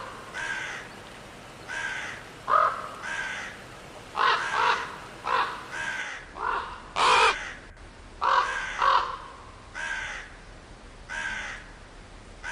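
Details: A steady stream of rough crow caws over twelve seconds, some soft and drawn out, others loud and clipped, at irregular intervals.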